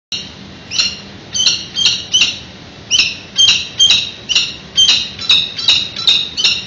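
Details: Adult male peregrine falcon calling to the incubating female at a nest ledge during a nest exchange on an afternoon in mid-February, San Francisco webcam; harsh repeated chips and chitters about two per second, with a steady low hum beneath.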